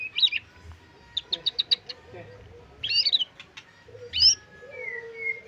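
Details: White-rumped shama singing trotol full isian: scattered sharp chips and a short run of evenly spaced high clicks, then chattering bursts, separated by pauses over a low background hum.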